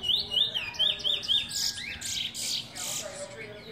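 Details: A Chestnut-bellied seed-finch (Trinidad bullfinch), a proven teacher bird, sings a quick run of four or five high, looping whistles, then harsher buzzy notes, with faint talking and other birds behind.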